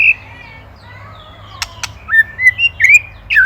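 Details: Indonesian white-rumped shama, or murai batu, in a master recording used to train songbirds. Drawn-out whistles give way to two sharp clicks, then a quick series of short, bright, upslurred whistled notes.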